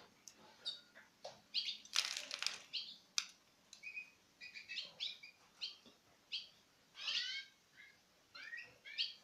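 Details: Pairs of citril finches taking food from the hand, 2016: a busy run of high chirps, twitters and short downslurred notes, several birds calling close together, with sharp clicks and rustling noise.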